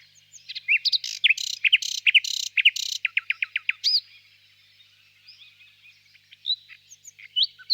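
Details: On a warm spring evening in a birch grove, a nightingale sings from a distance: loud alternating rich and rasping notes, a quickly repeated series of clear downslurred whistles, a hush, then a few sparse high chirps.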